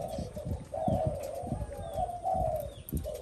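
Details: Spotted dove, a new bird just starting to coo next to an older decoy; soft, low, drawn-out coos under steady rumbling background noise and a few faint higher chirps.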